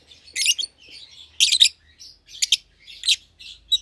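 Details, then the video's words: Caged lovebird pair, a red-eyed albino and a euwing green opaline, still young; short harsh squawky chirps in quick bursts with soft chatter between, a faint low hum underneath. "Lovebird Chirping Sounds"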